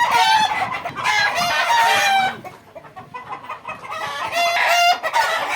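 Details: Fayoumi chickens of Egyptian origin kept on a farm in Bakshiganj, Jamalpur: several roosters crow in long, strained, overlapping bursts, a quieter stretch of clucks and shuffling in the middle, then more crowing.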